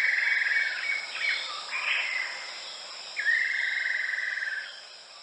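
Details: Buff-breasted paradise kingfisher, a migrant, calling while feeding at the nest: long, level, slightly rattling whistled trills held for over a second each, with a steady insect hiss behind.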